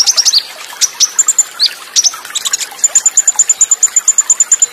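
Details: Olive-backed sunbird song in the Cililin shot style with speedy rolls and close pauses. Thin, high whistled notes and downslurred chirps give way to a steady, rapid trill of repeated high notes, with water trickling behind.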